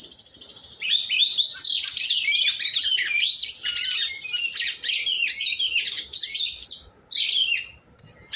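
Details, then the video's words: Kept Oriental magpie-robin being trained to sing, opening with a steady high whistle, then rapid scratchy warbles and chirps in bursts that grow shorter and more spaced toward the end. "cara melatih burung kacer"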